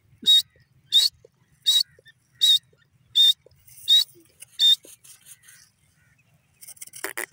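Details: Grey francolin, called dakhni or irani teetar: loud, sharp, high calls repeated about every 0.7 seconds, seven in a row, followed by softer scattered notes and a burst of noise at the end.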